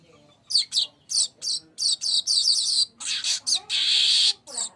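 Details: Lure recording of a streaked weaver singing: rapid clipped buzzy notes in uneven groups, building to a sustained rasping wheeze before one last short chirp, over a quiet low background rumble.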